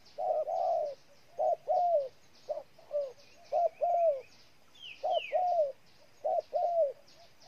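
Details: Spotted dove from Ninh Thuận, Vietnam, giving repeated cooing phrases: short coos paired with longer falling notes, about a phrase each second, with faint insect buzz and a brief higher bird note in the background.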